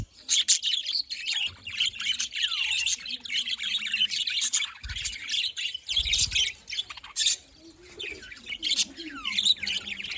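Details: Happy budgerigars recorded 18 October 2023 chattering almost nonstop in high, scratchy warbles and chirps, with a few brief gaps and low bumps.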